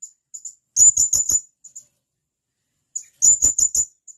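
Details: Male blue-crowned hanging parrot calling to its mate, two bursts of four or five shrill, very high chirps, each burst framed by softer single notes.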